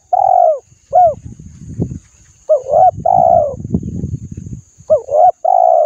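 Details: Spotted dove coo meant to spur birds into singing: repeated phrases of curved, hooting notes with a longer drawn coo, over low thumping knocks and a thin high hiss.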